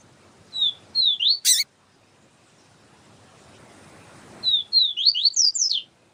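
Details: Yellow-bellied seedeater tutor song with a female calling to stimulate the bird. Two phrases of bright, slurred whistles, each about a second long, with a loud click between them.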